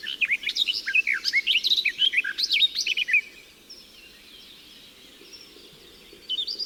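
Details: Natural recording of a garden warbler, which still sings in June and July and likes midday singing: about three seconds of rapid, jumbled warbling phrases, then a quiet pause before the babble starts again at the end.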